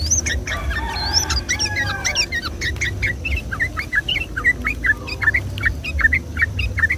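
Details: Sooty-headed bulbul song in fast 'gacor ropel' style on a Sunday morning, played to lure and stimulate the same species: a few sliding whistles, then a steady run of short hooked chirps roughly four per second.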